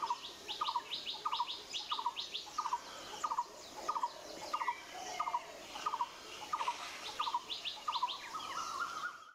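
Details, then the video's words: A White-vented Myna feeding on seeds of a Callistemon shrub gives a steady run of short, mid-pitched notes about twice a second, over high, scratchy chattering that may come from other birds. Great myna. "White-vented Myna"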